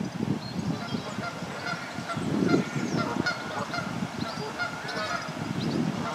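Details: Egyptian goose family of six, two adults with four goslings about two weeks old; low, rapid pulsed honking comes in bursts near the start, middle and end, while thin high chirps of small birds sound faintly behind.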